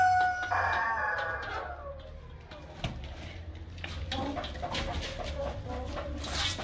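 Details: Light Columbian Brahma chicken at a poultry farm; a loud drawn-out descending call opens, then softer clucking and scattered clicks with low background hum.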